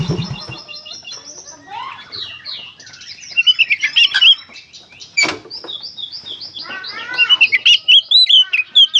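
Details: Oriental magpie-robin delivering a dense gacor konslet song for kacer therapy, a varied torrent of whistles, buzzy trills, swooping slurs and fast staccato notes, with clusters of sharp repeated chips toward the end.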